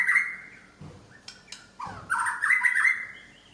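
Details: Medan-type white-rumped shama showing off its imitated repertoire, with a whistled opening note, scattered clicks and a soft low thump, then a loud, rapidly modulated chattering warble.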